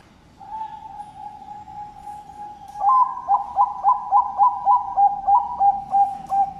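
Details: Zebra dove breeding stock in Sidoarjo, East Java, Indonesia, a farm-kept bird giving noklak-style song. A soft sustained mid-pitched coo drones for about two seconds, then breaks into a rapid run of ten stuttering, clipped cooing notes.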